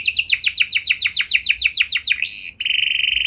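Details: Canary in full song, intended to make other canaries sing in response: a rapid trill of sharp descending notes, then a rising sweep and a sustained pure high whistle at the end.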